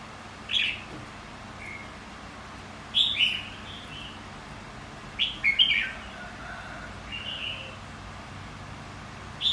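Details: Contest-style song of a red-whiskered bulbul of the white-cheeked type, used to spur other birds to sing: brief clear whistled phrases, sometimes paired, spaced a few seconds apart, with soft background noise.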